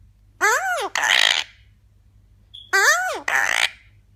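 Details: Eclectus parrot talking: a two-part phrase given twice, first an arched, harmonic, voice-like syllable, then a breathy, hissing syllable, with a short pause between the repeats in a quiet setting.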